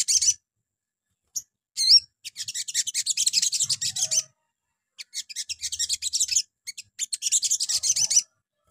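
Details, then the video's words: Sogon song played in the morning to draw replies from other sogon: a few sharp, high notes and a curling whistle, then long stretches of fast, buzzy, high-pitched chattering broken by short pauses. "PANCINGAN PAGI HARI SOGON LANGSUNG NYAUT"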